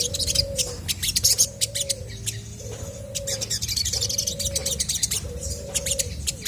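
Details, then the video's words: Chestnut-backed scimitar babbler singing eagerly to prompt other birds to reply: five low, level, hollow whistles, each lasting about a second with short gaps, while many other birds chirp and twitter sharply above. "SOGON GACOR BIKIN BURUNG MANAPUN PASTI IKUT NYAUT!!!"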